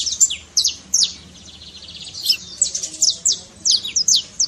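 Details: Canário-da-terra (saffron finch) giving its trincado trill to fire up a quiet canary: high, bright chirps in clusters, broken by a short lull, then resuming faster.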